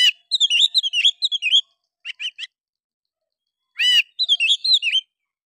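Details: An Oriental magpie-robin sings bright, varied whistled phrases in a bulbul-like style, with quick chirps and sweeping notes broken by short pauses, a song meant to provoke other birds into responding and spreading their tails.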